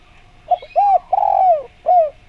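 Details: Spotted dove call used to draw replies from other doves: a short clipped coo, then two mellow arched coos, the second long and sliding downward, ending with one more brief coo.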